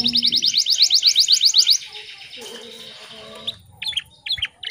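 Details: Morning canary lure song for stressed or post-moult birds that have stopped singing: a fast, bright, regular trill of high chirps for under two seconds, then fading into scattered brief chirps amid a low tone and background murmur.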